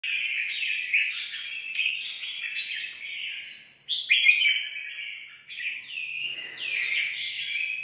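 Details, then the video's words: Red-whiskered bulbul newly caught from the forest, singing competitively: continuous warbled phrases of bright, slurred notes, rising and falling with short dips between bursts and no other clear sounds. "Chào mào mới ở rừng về hót đấu"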